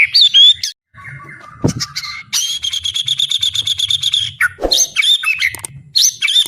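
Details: Full-power singing from a fighting-spirited white-rumped shama: loud whistled notes, a flat buzzy tone, a long rapid chattering series, and bright whistles returning at the end, with a few dull thumps.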